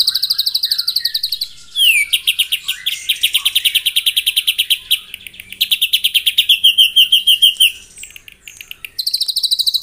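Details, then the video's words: White-rumped shama in morning song aimed at provoking rivals, delivering long fast rattles of high notes, about three per second overall, with a downslurred whistle and sudden changes of phrase. "PAGI HARI! 100% AMPUH MENAIKAN EMOSI LAWAN AGAR GACOR & BONGKAR ISIAN ( TEMBAKAN MURAI BATU )"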